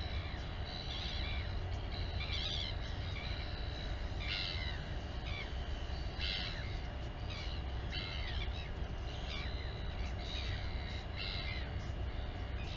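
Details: Nest-camera recording of a royal albatross mother feeding her chick at the Taiaroa Head colony near Dunedin, New Zealand. About ten short rasping harmonic bursts repeat irregularly over a steady rumble of wind.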